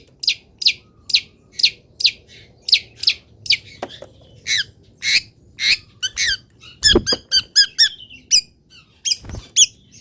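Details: Caged long-tailed shrike singing after its cover is opened and it is misted, in morning sun: rapid series of harsh, broadband notes, loosely spaced then tightening into a dense run of varied chattering phrases near the end.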